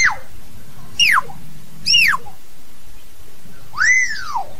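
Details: Common hill myna singing to call its flock, giving four loud, piercing whistles, each sliding sharply downward, about one per second with a pause before the last, over a low background hum.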